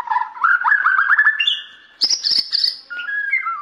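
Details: Borneo white-rumped shama, caged and performing an active display, sings a rising run of quick warbled notes, then sharp chips and higher ringing whistles, closing with descending whistled tones.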